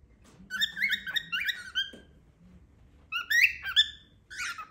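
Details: A pet cockatiel's loud calls in a small room, a run of rough chattering squawks and whistled slurs, a short pause, then a louder burst of rising screeches.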